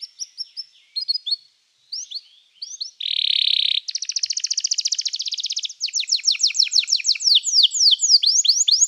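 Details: Canary singing as training material: scattered chirps, then a loud harsh buzzing note, a fast dry trill and a long run of rapid descending whistled sweeps.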